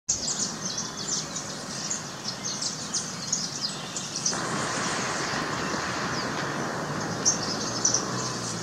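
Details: Saffron finch in an urban setting in Brazil giving a run of high, bright chirps and short twittering notes, steady throughout, over a constant rumble of traffic.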